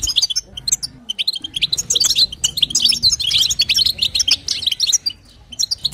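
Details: Goldfinch female calling to excite the male, batbata and satsata type: sharp tinkling chirps building into a dense twittering run, then trailing off into scattered notes near the end, over a faint low hum.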